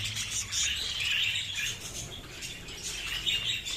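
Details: Colony-bred budgerigars chattering together: busy, high twittering and warbling notes from several birds at once, rising and falling irregularly over a faint low hum.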